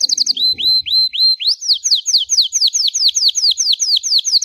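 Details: Nonstop bell-style ('campainha') song of a Belgian canary, used to warm up and train young canaries: a brief trill and curved whistles, then a long run of slurred descending notes about three per second.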